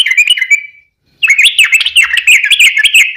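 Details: Yellow-vented bulbul delivering a long lively song to entice other bulbuls to sing: a brief warbled phrase, a short gap, then a fast continuous stream of liquid, bubbling notes.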